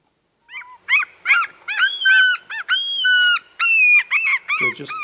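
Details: Short-billed gull from Alaska giving a typical display call: a few drawn-out opening notes, then a rapid series of short staccato squealing notes, each descending, rising and descending again, loud and clear against silence.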